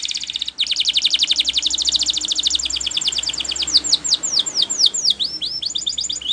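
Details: Spanish Timbrado canary training song: a dense, rapid rolling trill of falling notes that slows into separate, louder, sharply dropping whistles, with some overlapping high strokes.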